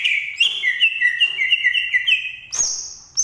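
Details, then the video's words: Banyuwangi green leafbird giving a steady series of quick repeated whistled notes at one pitch, then a sudden leap to a thin, very high sustained whistle. "Burung cucak ijo asli Banyuwangi"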